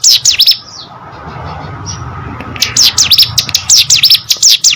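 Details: Hill prinia (ciblek gunung) gives a short burst of sharp high notes, pauses for about two seconds over low background rumble, then resumes a quick, shrill repeated phrase.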